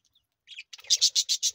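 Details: Hungry budgerigar chicks making a rapid series of five loud, rasping pulses after a couple of softer chirps, each pulse harsh and evenly spaced about a tenth of a second apart.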